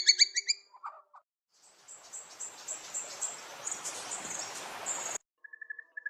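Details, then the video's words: White-rumped shama song: a quick burst of high chirps and a short low rattle, then a long stretch of hissing noise with high thin notes, ending in a soft run of repeated whistled pips. "Suara burung murai batu GACORRRRR"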